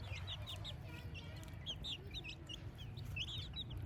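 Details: Several chicks in a village morning chirp in rapid, bright, sweeping peeps that tumble over one another, set against a steady low hum.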